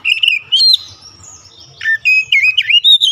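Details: White-rumped shama singing varied phrases: whistled notes with sharp upward slurs, a pause, then a fast, twisting series of clear notes over faint low background hum.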